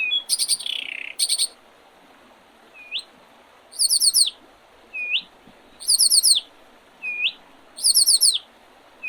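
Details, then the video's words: Spring birdsong recorded on 8 April 2023 beside the Oredezh river in Leningrad Oblast, Russia: short upward-hooked whistles alternate with bursts of very high, rapid trilled notes, each phrase spaced about a second or two apart. "Весеннее пение птиц"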